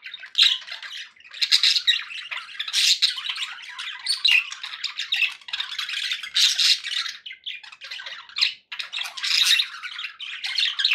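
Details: Contented budgies warbling in rapid, raspy runs of chirps and squeaks, the chatter swelling and fading in loudness across the stretch.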